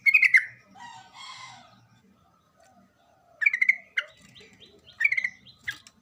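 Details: Lively sooty-headed bulbul song used as a lure: bubbly chattering phrases at the start, middle and end, separated by softer warbled twitters and a quiet pause.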